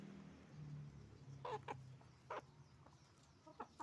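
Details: Roosters and hens on a chicken farm; after a low hum, a few loud harsh squawks and clucks stand out in short separate bursts.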